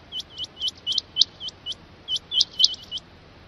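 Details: Rain quail uttering bright, rising, whip-like notes in rapid pairs, about a dozen notes in quick succession.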